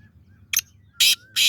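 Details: Male black francolin giving its breeding call: a short grating note, then two loud harsh rasping bursts about a third of a second apart, in otherwise quiet surroundings.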